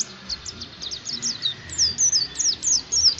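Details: Oriental white-eye song played to coax other white-eyes into singing: thin, high, downslurred chirps, scattered at first, then louder paired phrases repeated roughly every half second over low background noise.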